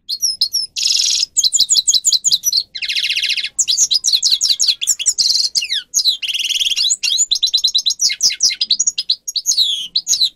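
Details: Captive-training song of the grey-crowned goldfinch: an unbroken ten-second flow of high twitters, slurred whistles and several loud buzzy trills, energetic and complex throughout.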